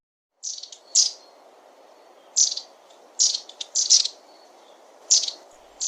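Long-tailed tit giving short, dry, high trilled calls at irregular intervals, about every second or so, over a soft low background hum.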